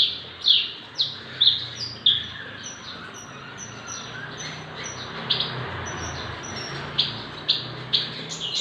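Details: Javan bush lark aged six months, singing eagerly and described as a good model or prompt bird. Spaced, clipped high chirps at first, then thin faint ticks, with more sharp notes returning near the end over a steady background hum.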